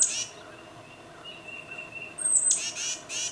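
A tufted titmouse calls to its mate: a thin, steady whistle, then a very high squeak and a run of harsh, buzzy notes.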